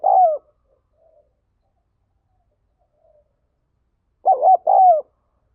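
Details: Spotted dove call used to spur decoy birds, one short falling coo, a quiet gap with faint soft notes, then a clear pair of deep wavering coos close together.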